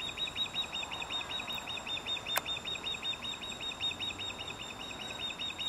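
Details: Continuous run of rapid, high, piping chirps from an osprey in Dartmouth, Nova Scotia, steady throughout, with one sharp click partway through and a faint constant tone in the background.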